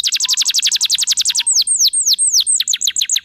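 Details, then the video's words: Canary singing hard through its repertoire as a lure for other canaries: a rapid series of bright falling notes, then drawn-out arched whistles, then quick short falling notes. "PANCINGAN SUARA BURUNG KENARI GACOR BONGKAR ISIAN"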